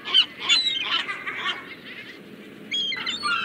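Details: Seagulls calling, bursts of harsh high cries separated by a brief quieter gap, then renewed calling, several birds overlapping.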